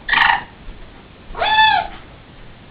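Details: A female pet blue-fronted amazon (Amazona aestiva), angry at her owner's singing, gives two harsh, nasal squawks: a short rough burst, then a longer arched squawk a second later; Turquoise-fronted amazon.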